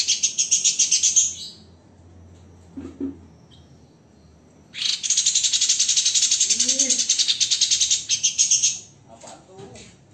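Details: White-rumped shama master recording for tutoring songbirds, with dense, rough 'tembakan' bursts. Two long runs of rapid, rasping, high notes are separated by quieter gaps, where a few faint lower sounds are heard.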